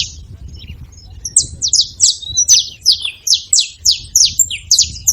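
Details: Saffron finches, wild and free in a hedge, calling noisily: after a quiet start, a fast, regular string of bright, high chirps sweeping downward, about three per second, with light low background noise.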